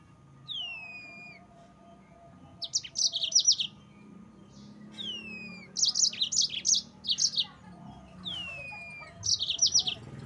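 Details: Yellow-fronted canary (mozambik) singing a lively song used to provoke rival birds: a descending whistle followed by rapid bursts of high, sharp chirped notes, repeated about every three seconds over a low background hum.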